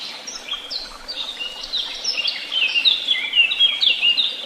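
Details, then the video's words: Several birds singing together at Tehidy Woods: dense overlapping high chirps and quick whistled phrases, some rising and falling sharply, building louder toward the end, with a soft steady background hiss. "Sounds of beautiful birds and the tweet of birds"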